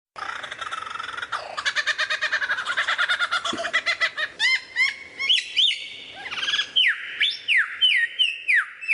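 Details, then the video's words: Lyrebird singing a varied mimicry sequence: a fast run of harmonic notes repeated about three per second, then sliding whistles and a series of sharp upward-sweeping whistled notes. "suara variasi burung lyrebird"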